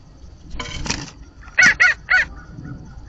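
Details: Blue jay at a bird feeder, mimicking another animal: a harsh, buzzy burst followed by three loud, nasal, evenly spaced notes in quick succession.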